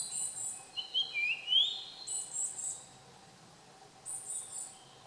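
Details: On 30 June 2015 a Japanese grosbeak gives a mellow whistled phrase of rising glides, while high-pitched insects buzz in repeated bursts and a faint constant hum lies underneath.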